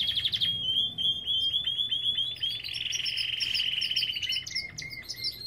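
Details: Belgian canary in an aviary: a quick trill, then a run of repeated rising notes merging into a long, dense rolling trill, ending in clipped chirps and a lower whistled note.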